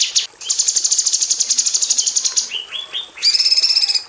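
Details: Female cucak cungkok bulbul singing in an aviary as a tutor bird for magpie robins: a long rattling run of quick buzzy notes, then several short rising whistles, ending in a rich, harmonic, rapidly pulsed trill.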